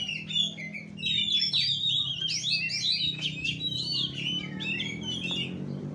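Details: Oriental magpie-robin, fighting style 'kura kura': a continuous run of slurred whistled notes and quick trills, mid-loud against a constant low rumble.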